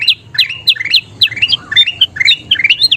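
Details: Energetic kutilang emas, a sooty-headed bulbul, singing for bird training: quick chains of bright, slurred whistles rising and falling, delivered in short bursts several times a second with brief pauses.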